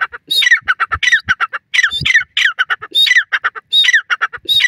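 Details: A black francolin in the wild repeats a harsh, grating phrase of several clipped, rasping notes, roughly every second and a half, with no other sounds.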